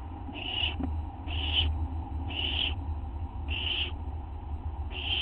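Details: Owl calling at night, 19 August 2011 around 11:07 PM, while it devours a treat and a second owl waits outside; five rasping, high bursts about one per second, with a constant low droning hum beneath.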